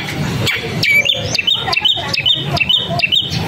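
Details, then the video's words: Long-tailed shrike singing short, bright whistled notes that hook upward, repeated roughly twice a second, mixed with harsh chattering bursts over a steady low background rumble. "Gacorin Cendet Gak Pake Ribet"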